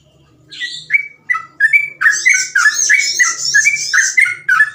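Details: Sooty-headed bulbul singing rapid 'ropel' song for tutoring young birds: quick repeated whistled slurs about three per second, overlaid by a higher, buzzy chattering bird and a faint low hum.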